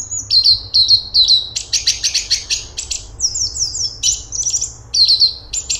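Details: Energetic song of a straw-headed bulbul (cungkok): dense, rapid series of high whistled notes mixed with scratchy chattering bursts, almost continuous for six seconds.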